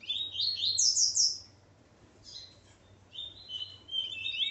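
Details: Double-collared Seedeater male, kept with his female, giving a fast bright twittering phrase, then a pause and two shorter sweeping, whistled strophes over a steady low hum.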